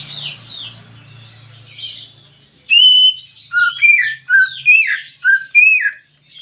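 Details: Greater green leafbird song used as therapy to prompt a reluctant pet bird: after a soft low hum, a run of clear whistled and slurred notes, some rising, some falling, delivered quickly in varied phrases.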